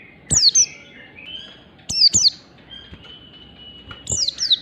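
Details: Oriental white-eye tutor song for training pet birds, given in the morning: paired, shrill whistles sliding sharply downward, with short gaps between pairs. A thin, steady whistled tone carries on in the background.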